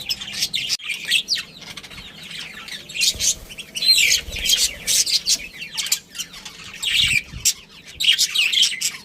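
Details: Budgerigars from a breeding pair's family produce fast, bubbling high-pitched warbles and chirps in repeated bursts, with short silences between phrases.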